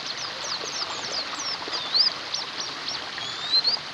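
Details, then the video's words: White-eyes twittering, for therapy of birds that no longer sing: crowded high chirps with a few longer rising whistled slurs standing clear, over a constant background hiss. "TERAPI PLECI MACET BUNYI"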